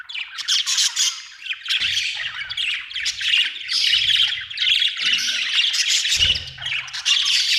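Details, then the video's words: Budgerigar chirping in a nearly continuous stream of high, scratchy warbles and squeaks, rising and falling in loudness, with low thumps now and then. "budgie chirping sound"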